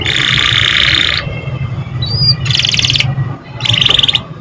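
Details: Canary song aimed at getting young canaries singing fast: a long buzzy roll of about a second, a pause with a thin whistle, then two more pulsing trilled phrases, over a steady low hum.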